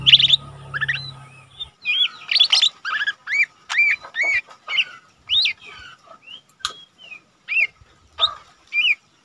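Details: Lesser green leafbird kept as a cage bird, a young one that sings frequently, serving as tutor recording: a spaced series of short clear whistled and warbled phrases, each brief, separated by pauses, over a quiet background.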